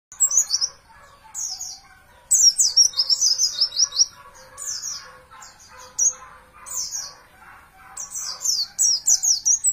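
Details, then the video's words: Champion Oriental white-eye (pleci) song used as a master recording for training caged birds: bursts of high, thin, rapid downslurred whistled notes in quick twittering phrases separated by short pauses, with faint lower chatter beneath. "masteran pleci juara"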